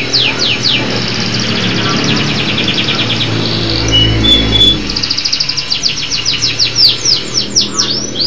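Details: A local canary in full song gives rapid rolling trills and sharp downward-sweeping whistles, pausing briefly near the middle, over a steady low background rumble.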